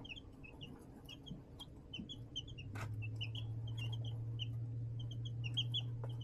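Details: Young chicks in a tote brooder under a heat lamp, March 2024; rapid high chirps pile up throughout, while a steady low droning hum starts midway and continues beneath them, with an occasional sharp click.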